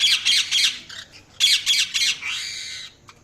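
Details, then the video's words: Rapid series of harsh parrot squawks, two bursts of about four notes each, the last drawn into a longer raspy call before falling silent. "Parrot Chirping Sounds | Parrot calling sound"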